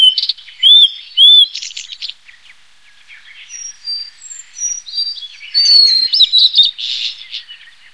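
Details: Two loud, down-slurred whistles from a Blue-and-white Flycatcher, then buzzy notes and a quiet gap before a busy burst of warbled notes and harsh buzzing.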